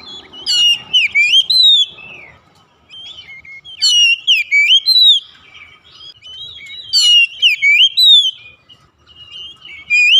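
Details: Oriental magpie-robin, song therapy for a home-kept bird slow to sing: bright, varied whistled phrases delivered in bursts roughly every three seconds, mixing clicks, high slurs and fluid warbles over quiet gaps.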